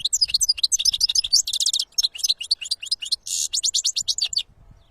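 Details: European goldfinch in nature delivering a fast, continuous twittering song of high, liquid tinkling notes mixed with short buzzy trills, lasting over four seconds, with faint low rumble beneath.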